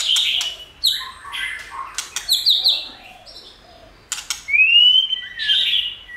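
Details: White-rumped shama song used to stimulate and train other shamas to sing: clear whistled notes and sharp downward sweeps in short bursts, quiet gaps between phrases, ending with a long rising slurred whistle.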